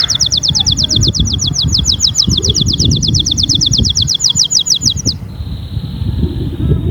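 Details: A canary, kept to stimulate other canaries to sing, delivers one long, very rapid, evenly repeated trill of bright notes lasting about five seconds, ending in a soft steady tone over a low rumbling background.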